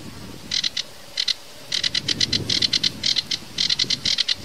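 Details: Sedge warbler (kerakbasi alis hitam) in tembakan variasi song: bursts of short, dry, buzzy chattering notes in clusters of two to five, separated by brief pauses, with background hiss.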